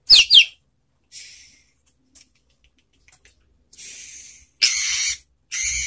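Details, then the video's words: Relaxed song of a white-rumped shama, a cage bird recorded to prompt other shamas to sing back. It opens with quick sharp whistled notes, followed by scattered short buzzy, hissing bursts separated by silences. "SUARA MURAI BATU SANTAI untuk Memancing BUNYI NYAUT"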